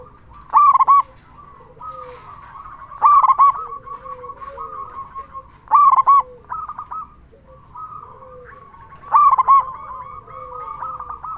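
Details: Local zebra dove with a big voice, used to stir other zebra doves to sing. Four loud bursts of rapid, clipped cooing notes come about every three seconds, each followed by softer cooing, with faint doves calling behind.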